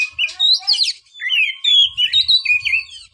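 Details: Oriental magpie-robin singing a flowing phrase of sweet whistled notes that rise and fall, with brief buzzy trills and faint low thumps behind.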